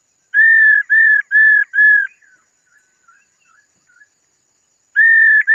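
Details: Female laughingthrush calling to stir up males: four steady, level whistled notes, each about a third of a second, a pause with faint soft twitters, then another whistle begins.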